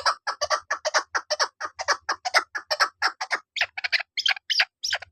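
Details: A female chukar partridge used for hunting repeats quick throaty clucking notes in a rapid series, ending with a few higher, thinner notes spaced apart; nothing else heard.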